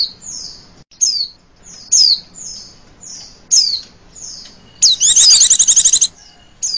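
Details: Lure call of a female Oriental white-eye: a series of thin, high whistles sliding downward, repeated about once a second, then one burst of fast, buzzy ngecir trilling near the end.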